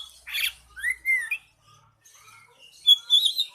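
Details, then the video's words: Oriental magpie-robin in nyeting song: a harsh squawk, then a rising slurred whistle and a brief pause, ending in bright high warbled notes. "Nyeting burung kacer"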